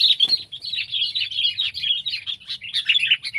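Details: Indonesian kutilang, the sooty-headed bulbul, pet or wild: rapid jumbled chirps and twitters without a break, one sharp click early on, a faint low murmur underneath.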